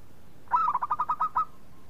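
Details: Local zebra dove singing a single phrase: a burst of about eight quick rolling coo pulses, even in pitch, ending in a soft trailing note; used as a lure so other doves sing.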